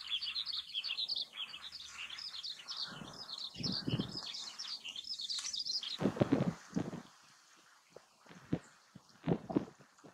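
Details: Oriental greenfinch in autumn or winter in Japan: fast, dense twittering of high chirps for six seconds, then a low thumping noise with a few scattered chirps.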